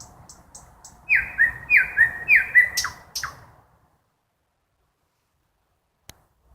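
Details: Nightingale in a forest at night: three loud, ringing notes that drop in pitch, repeated at an even pace, followed by quick clicks and then near silence.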